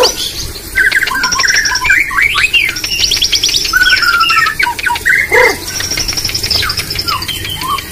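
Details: White-rumped shama entered in an online bird singing contest: a rich, varied medley of sharp whistled phrases, rapid high trills and falling slurs, with one low descending note near the end, over a steady background hiss.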